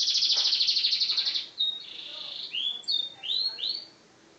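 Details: Yellow canary singing in a gacor style: a fast rapid trill of high notes for about a second and a half, then a sustained buzzy tone and several rising whistled sweeps.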